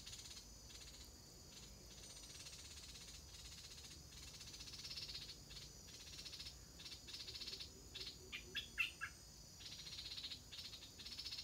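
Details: Stripe-throated bulbul chicks in the nest before their first flight: short, harsh, buzzy bursts come in irregular runs, growing louder and denser toward the end, with one thin whistled note; a steady high insect-like hum runs underneath.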